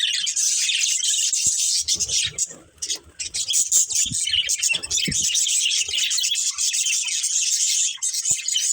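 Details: Breeding pair of budgerigars chirping with constant high, buzzy warbling, rapid and chattering, with a brief softer patch early on.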